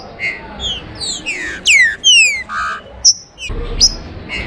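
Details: Green-winged saltator singing in 'abrir canto' style: a few sharp falling whistles and a short buzzy note, then scattered high upslurred notes, with a noticeable low background noise.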